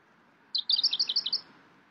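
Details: Pink robin (Petroica rodinogaster) call: a quick run of about nine thin, high notes in under a second, with a faint background hiss.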